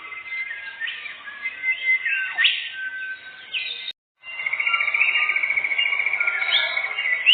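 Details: Canary lure song (pancingan kenari) for bird hunting in a forest: chattering, warbling phrases with quick rising sweeps, a brief silent gap, then a long, steady, fast rapid-fire trill with a sharp upward flourish at the end.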